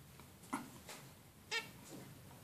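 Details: Female zebra finch giving two brief, buzzy, tonal calls one second apart, with softer similar notes around them against quiet background noise.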